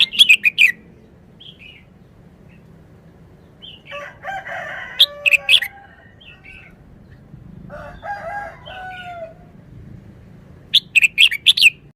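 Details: Red-whiskered bulbul, a cage bird, singing its short wild-style song: bursts of bright warbled notes opening and closing the stretch, with a rooster crowing in long drawn-out phrases between them.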